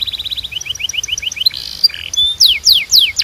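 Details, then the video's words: A Belgian canary sings a string of quick rising chirps and a short buzzy burst, then loud, sharply descending whistled swoops. "Your Belgian Canary Might Sing NON-STOP After This"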